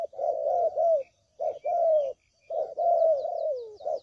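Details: Spotted dove (tekukur) trapping lure: three low cooing phrases, each a short note then a long coo sliding downward at the end, separated by brief silences; faint chirps of small birds.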